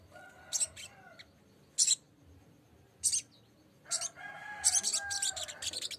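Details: Lesser green leafbird, green form, calling to a rival in a lure recording: scattered sharp, high chirps, then a fast cluster of bright staccato notes toward the end over a faint background hum.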